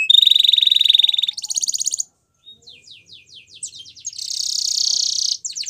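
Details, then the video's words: Belgian canary training song with a long steady rolling trill, a higher buzzy trill, a brief pause, then quick descending notes and a loud sustained buzzing roll before more slurred notes. "Canary Training Song Video | Belgian Canary Singing"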